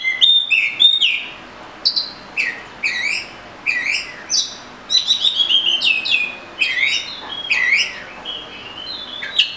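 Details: Rich whistled song of an Oriental magpie-robin, clear rising and falling notes and twisting slurs given in quick bursts, a steady stream of phrases with short gaps.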